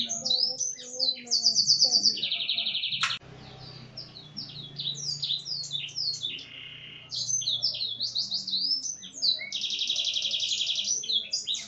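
A canary sings rapid, high, varied trills and buzzy rolls with phrases copied from a Black-throated Canary, briefly softening midway before bursting loud again.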